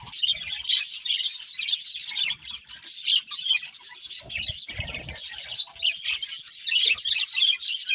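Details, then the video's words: Pet budgies feeding and singing together: a steady, crowded stream of bright chirps, squeaks and buzzy trills throughout, with a short low thump or rustle around the fifth second. "Beautiful Budgies Singing and Eating | Love Birds Chirping Sounds"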